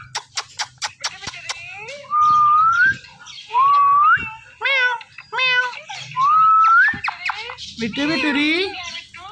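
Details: Indian ringneck parrot talking while dancing: a rapid run of sharp clicks, then several clear whistled notes sliding upward, broken by short harsh voice-like syllables and a final buzzy, wavering call.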